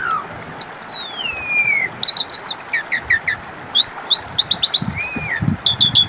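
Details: Asian pied starling song as a lure to provoke an answer: a long descending whistle glide, then clusters of short sharp chips and a rising-falling slur, with quiet gaps between.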